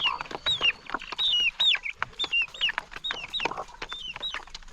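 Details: Chickens eating at a morning feeding on a farm: repeated high, falling chirps mixed with sharp pecking taps and brief clucks, several calls per second.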